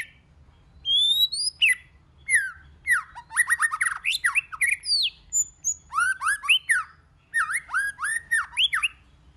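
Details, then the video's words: White-rumped shama in varied many-voiced song, used to rouse other shamas: rapid bursts of rich whistles, squeaky slurs and downward-swooping notes, tumbling in quick phrases with brief gaps throughout. "chòe lửa hót nhiều giọng"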